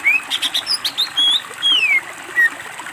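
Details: Greater green leafbird on a master training recording, singing clear drawn-out whistles that rise and then glide down, interleaved with short chirps, loud and close.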